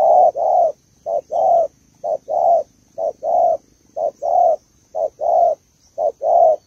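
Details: Female spotted dove, Malaysian type, calling to stimulate the male: paired cooing notes, a short coo followed by a longer drawn coo, repeated about once a second in a steady series, with a faint constant high hum behind.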